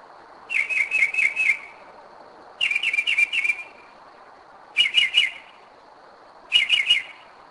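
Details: At 2am in Kennesaw, Georgia, a Northern mockingbird that keeps coming back to the same spot sings short phrases of three to five quick, repeated whistled notes, delivered in four bursts with brief silences between.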